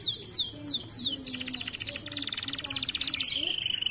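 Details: Canary singing, played to stimulate lazy canaries to sing: several high descending whistled swoops, then a long buzzy rapid trill, followed by repeated downward notes and a steady high whistled tone.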